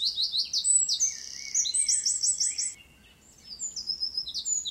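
Eurasian wren singing a loud, fast, high outpouring of trills and sharp notes, the rapid phrases tumbling together, with a brief pause before more ringing trills.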